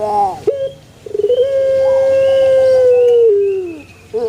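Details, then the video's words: Male Barbary dove repeats a low throaty note, then a stuttered lead-in opens into a long, smooth, sustained coo that dips at the finish. "SUARA ASLI BURUNG PUTER JANTAN"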